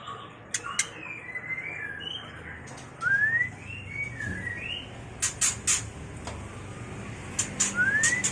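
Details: Mating white-rumped shama call, used to train and lure birds: a series of warbling arched whistles, a quick rising sweep, then clicks and one more rising whistle.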